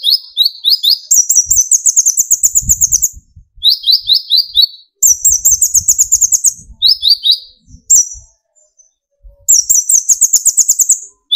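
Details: Sunbird (kolibri ninja) in full song, used as a lure to stir young or speckled birds: rapid high ticking trills alternate with bursts of sweeping slurred notes, in phrases broken by short pauses.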